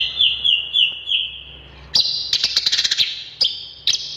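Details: Long-tailed shrike singing in lively form: a run of repeated down-slurred whistled notes, then dense scratchy chatter and sharp clicking bursts, all high-pitched with no other sounds.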